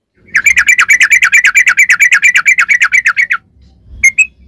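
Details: Long rapid-run song of a sooty-headed bulbul, used to lure bulbuls into singing: about twenty-five chirpy notes in a rapid even trill over three seconds, then two isolated whistles.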